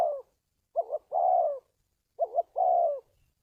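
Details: Spotted dove coo recorded for training decoys and luring wild doves to traps. Clean, low phrases sound against silence: a quick wavering double note and then a long, smooth, gently falling coo, repeated about every one and a half seconds.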